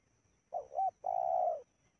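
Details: Spotted dove cooing during a session luring wild doves in Indonesia: two short rounded coo notes followed by one long, steady, slightly falling coo, with a quiet background.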